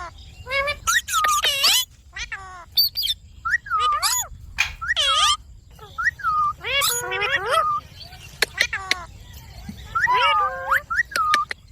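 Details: Pet ringneck parakeet from India talking in steady runs of high, warbling, word-like syllables with brief squeaky notes between them.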